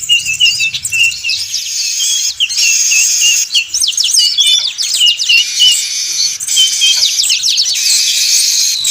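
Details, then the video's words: Noisy weaver chatter used to lure birds: a continuous jumble of high squeaky notes, quick slurred whistles and harsh buzzy trills, overlapping without pause throughout. "Suara Pikat Burung Manyar Ribut Sangat Ampuh"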